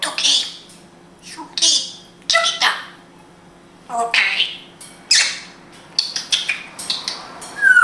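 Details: Pet African grey parrot in Israel, kept indoors, speaking Hebrew: a run of short squawky, speech-like syllables in quick bursts with brief pauses, ending on a rising whistled slide.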